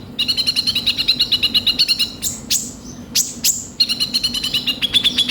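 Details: Sunbird, called kolibri ninja, in vigorous rough-style song: quick rattling trills, interrupted by a few sharp downward-sweeping high notes, then the rattle resumes.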